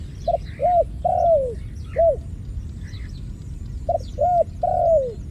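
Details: Repeated dove cooing. Each phrase runs short, short, then a drawn-out falling coo, and the pattern comes back after a pause of about three seconds. Soft chirps from other small birds and low background hum.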